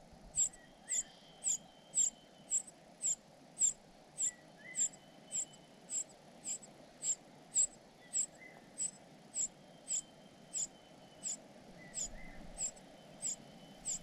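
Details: Cuckoo chick fed by foster parents, begging persistently: around two dozen piercing high notes at a steady pace, under two per second, with softer lower chirps between some of them.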